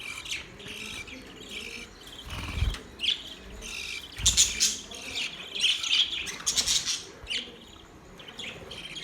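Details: Budgerigars singing and chirping: bursts of short, scratchy chirps and warbled notes in irregular clusters, some louder and harsher, with brief pauses between phrases and a low thump or two in the background.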